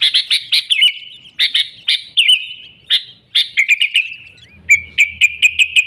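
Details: Unmixed 'gacor' song of a sooty-headed bulbul for luring wild birds; harsh, broad chips with short whistled slurs at first, then a quick, evenly repeated series of sharp notes over a low hum.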